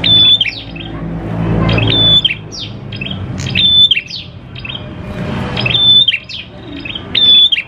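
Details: Prinia song meant to trigger prinias into song. Widely spaced phrases of a piercing flat whistle sliding into rapid falling chirps, with quieter chirps and low rumble between them.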